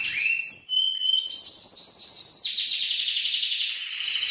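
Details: Singing male canary urging a female to mate: a rising whistle, short bright notes, then a long high buzzy trill that drops into a fuzzier rolling trill.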